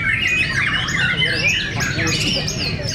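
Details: Fighter murai batu, white-rumped shamas, clash in song at Cibinong. Clear swooping whistles and chattering phrases overlap for a few seconds above a low background hum.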